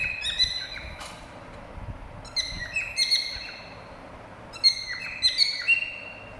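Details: Cockatiel whistles in clustered bursts of high, slightly sliding chirps, with quieter gaps between groups and a faint thump early on.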